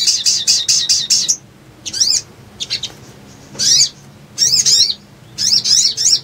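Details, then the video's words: Little spiderhunter singing as a lure for trapping wild leafbirds: a rapid row of high chips, then separate harsh, wavering chirp bursts about a second apart. "PANCINGAN PALING AMPUH UNTUK BAHAN IJOAN❗PIKAT AMPUH"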